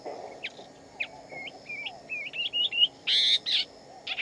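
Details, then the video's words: Shama singing in natural habitat, a sequence of clear, short, level-then-rising whistled notes gaining pitch, followed by two loud, harsh, buzzy bursts and a final sharp note, over faint hum. "Chim Chích Chòe Lông Xù, Tiếng Chim Hót Ngoài Tự Nhiên"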